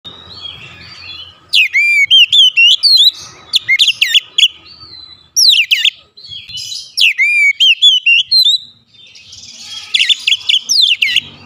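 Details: Oriental magpie-robin kept at home, singing loudly and persistently: bursts of rapid, varied whistled and chattering notes with steep upward and downward sweeps, in three phrases separated by short pauses.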